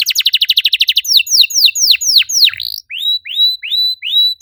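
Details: Canary singing to set off other canaries: a quick pulsing trill, then drawn-out falling whistles, followed by a series of clean upslurred notes repeated about twice per second.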